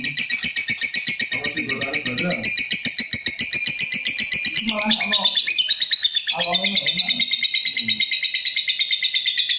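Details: Long unbroken stream of high, buzzy, rapidly pulsed chatter from a lovebird (Agapornis) kept for breeding, shifting in pitch midway, with intermittent lower warbling notes underneath.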